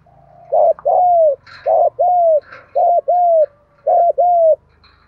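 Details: Decoy spotted dove calling to draw in wild doves, part of daily decoy training: four paired coos, each a short note followed by a longer falling one, repeated about every second. Faint higher chirps sound between phrases.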